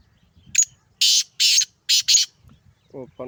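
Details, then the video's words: Male black francolin of the Sindhi type calling: a short sharp opening note, then four loud rasping, grating syllables in a rapid rhythmic phrase, followed by faint lower nasal sounds at the end. "سندھی کالا تیتر ٹانگ کی بلائی ماشاءاللہ مست بلار"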